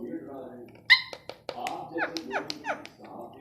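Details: Rose-ringed parakeet, a pet talking parrot, mimicking human speech indoors: a sharp squawk, then a run of clipped, speech-like syllables with descending chirpy notes, alongside a person's voice repeating short words.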